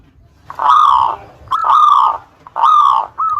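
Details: Local Zebra Dove lure song meant to provoke rival birds into answering: three long, rough, buzzy drawn-out notes about a second apart, with a short clipped note at the end, indoors with faint low background hum.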